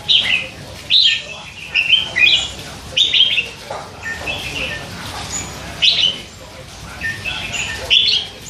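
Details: Red-whiskered bulbul chick, hand-fed and three months old, kept caged and chattering all day. Lively run of sharp, bubbling chirps and slurred two-part notes, closely spaced, with softer murmured twittering in the gaps.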